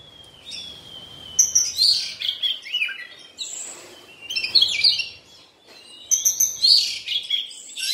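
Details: Oriental magpie-robin during its moult, giving repeated loud phrases of sharp, bright whistles and scratchy rattling notes about every two to three seconds, with soft background noise.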